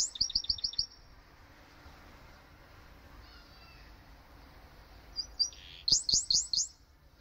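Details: Canary–goldfinch hybrid rehearsing song, opening with a rapid run of high chirped notes, a soft warbled pause, then a second fast series of sharp, bright twittering notes.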